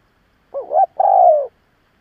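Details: A lure spotted dove gives a strong provoking coo: a brief wavering opening, a tiny pause, then a sustained, gently descending hollow note, with nothing else audible.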